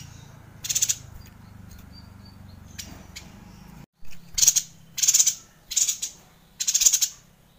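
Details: Yuhina singing in the long, continuous 'gacor ngerol' style, used as a tutor recording for training White-rumped Shamas: five short, very high, dense twittering bursts, mostly in the second half, separated by quiet gaps over faint low background hum.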